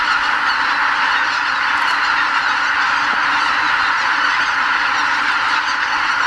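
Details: Before dawn in spring, wild greater white-fronted geese depart their night roost on Lake Miyajimanuma in Bibai, Hokkaido, heading for surrounding fields. A dense, level mass of overlapping honks, with a few sharper calls standing out.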